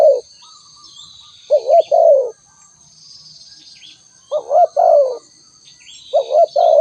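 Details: Low, mellow calls of a spotted dove: three complete phrases of a trembling double coo ending in a drawn-out falling note, after one clipped phrase. Faint bird chirps and a persistent high-pitched insect buzz.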